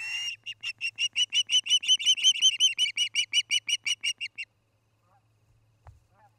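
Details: From a nest camera in Charlo, Montana, an osprey at the nest on an August evening gives about twenty quick, piercing whistled chirps in a steady run over four seconds, then falls silent apart from a soft thump.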